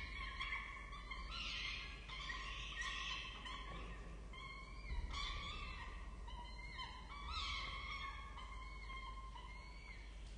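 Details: Feeding time at a peregrine falcon nest on a campus in Orange, Australia, October 2023: chicks give harsh, wavering begging screams in bursts roughly every second or two, with short gaps between.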